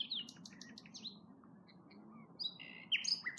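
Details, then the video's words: Nightingales singing at Norwood Hill RSPB reserve: a burst of rapid high repeated notes and quick downward-sweeping whistles, a short lull with scattered soft notes, then louder varied whistled and buzzy phrases, over a steady low background rumble. "Listen to Nightingales"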